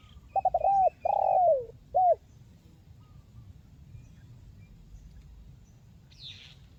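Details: Crisp 'mersik kuk 1' style song of a spotted dove (tekukur), offered to coax silent birds into singing: a stuttered start, a long downslurred coo and a brief closing coo, then near silence with one faint high chirp.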